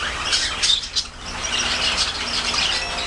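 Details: Budgerigar chattering in quick, high chirps and squeaky notes, a few sharp peaks early on, then continuous scratchy warbling at a fairly even level.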